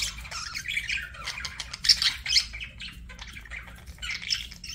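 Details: Budgerigar chirping in rapid, irregular bursts, harsh squawky chirps and thin squeaks tumbling over each other, with a louder cluster in the middle and chatter continuing to the end.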